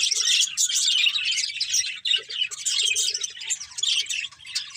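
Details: A breeding pair of pet budgerigars giving continuous busy warbles and chirps, with brief dips in volume and a few soft low squeaks.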